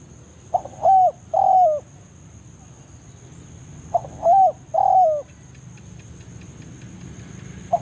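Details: Spotted dove giving the BANGGO call to summon a rival in the forest. Two full phrases of a short note and two sliding coos are about three seconds apart, with a final note cut off at the end over a steady high whine.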